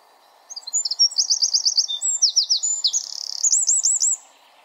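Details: Wren in a forest pouring out a loud, fast song about three and a half seconds long: a string of tight high trills and slurred notes, closing with a run of looping, rolling notes.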